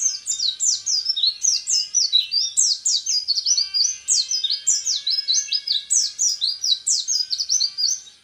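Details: ["Orange-headed thrush, a bird groomed as a national champion candidate, singing in the rapid-fire 'tembakan repet' style: dense, high-pitched whistled and chattering phrases, fast rising and falling notes delivered continuously without pause."]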